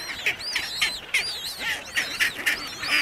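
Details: Chinstrap penguins fighting in Antarctica, giving harsh, honking calls with rising and falling tones, repeated in quick bursts about every half second.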